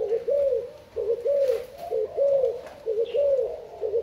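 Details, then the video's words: Thai-type spotted dove cooing steadily: low, mellow, slightly rising-and-falling notes grouped into repeated phrases roughly every second, little else audible. "Cu gáy thailand"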